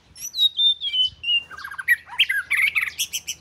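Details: Oriental magpie-robin from southern Thailand, the home's first bird, giving sweet descending whistles, then a rapid run of varied chattering and buzzy notes rising into sharp high chips.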